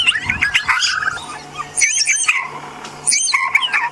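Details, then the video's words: Wild wattled starlings calling from a tree, possibly a nest site, on an African sunset drive; likened to a puppy barking: three bursts of squeaky, yelping chatter about a second apart over a low engine hum. "It's definitely what it is. It's wattled starlings."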